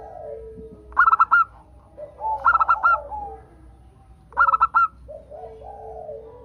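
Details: Local zebra dove tutor song meant to prompt other doves to sing: three quick phrases of staccato, ringing coo notes, separated by softer, lower warbling murmurs.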